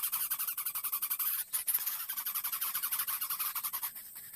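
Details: Harsh rasping begging from a young Greater Coucal asking for food: fast, noisy pulses repeated several times a second, briefly broken by a louder burst, then resuming steadily.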